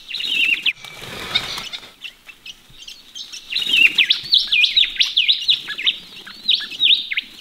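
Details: Ringneck parrots in Australia having a morning bath in a pond. Brief chirps are interrupted by a splashing, rushing sound, then quick, bouncing, whistled notes return in an irregular chattering series.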